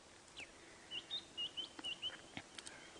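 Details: A White-browed Scrub Robin singing merrily in the morning on 21 July 2016 gives a quick run of short, clear whistled notes, high and slightly varied, with a few faint taps and clicks in the background.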